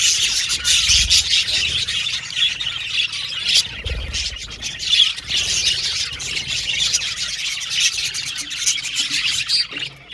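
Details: Budgerigars chattering and squawking, a harsh, raspy, continuous flock warble with louder surges near the start and around five seconds and some low thumps.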